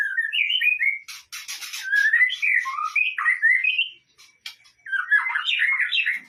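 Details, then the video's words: White-rumped shama song meant to lure or trigger singing: melodious whistled phrases rising and falling, interrupted by a burst of harsh buzzy notes, then more fluid warbling after a short pause. "Pancingan murai batu 100% efektif langsung auto gacor"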